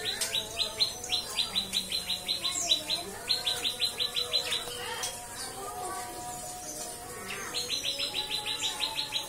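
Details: White-rumped shama in cikris style from breeder stock, three bursts of rapid, bright chipping notes separated by a pause of softer mixed whistles and faint chatter.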